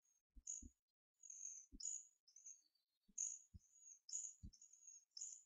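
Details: Two young hawfinches, twelve days old, hand-reared after a foster hen abandoned them, call for food with insistent high, slightly falling squeals in quick runs, interrupted by low thuds of handling.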